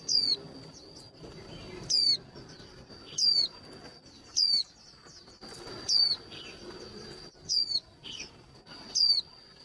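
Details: A caged female white-eye, used to stir males into song, gives high, thin, sharply falling chirps, one roughly every one and a half seconds, over a steady high-pitched whine.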